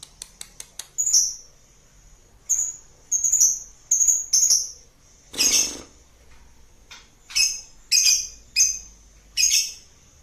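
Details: Lovebird ngekek chatter meant to provoke other birds: repeated shrill, rasping bursts about a second apart, with a few fast clicks at the start and one broader harsh squawk midway.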